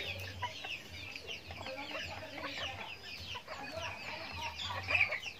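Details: Flock of backyard farm chickens while eating feed, many thin high chirps and short clucks overlapping continuously, a louder sharp call near the end.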